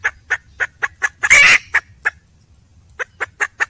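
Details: Female red junglefowl calling for a male: a run of short, evenly spaced clucking notes, then one louder harsh rasping burst, a brief silence, and four more quick clucks to close.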